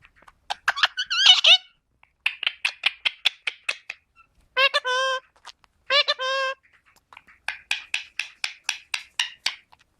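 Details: Pet green ringneck (rose-ringed) parakeet talking: rapid clicky chatter bursts, then two drawn-out nasal, voice-like phrases resembling mimicked words, then quick repeated chirps again.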